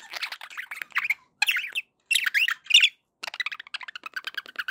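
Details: Happy pet budgies chattering: warbled, rising and falling chirps in short phrases, then a quick run of rapid clicky ticks near the end.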